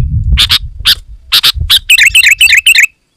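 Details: Sooty-headed bulbul in full, loud song offered as a lure for wild bulbuls: sharp clicks, then a rapid series of bubbly repeated chirps ending abruptly in silence.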